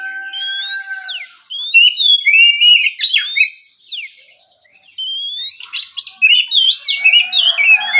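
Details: Relaxed ngeplong song of an oriental magpie-robin at morning: looping up-and-down whistled phrases, a held lower tone at the start, a silent gap, then a dense burst of high twittering and slurred notes.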